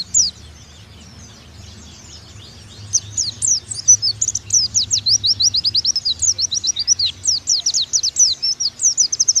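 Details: Oriental white-eye (pleci) masteran, a tutor recording meant to make pleci sing 'nembak': after quiet opening seconds, a rapid run of high, sharp, slurred chirps begins near three seconds and keeps a fast, busy pace to the end.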